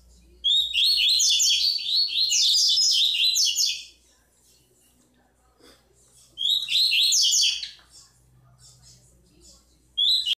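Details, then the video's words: A bico-de-pimenta chestnut-bellied seed finch delivers its tui-tui song: a long, energetic run of sharp, high, rapidly repeated whistled notes lasting over three seconds, then silence, a second shorter phrase, and the start of another. "Melhor Canto Tui Tui de Todos os tempos - BICO DE PIMENTA"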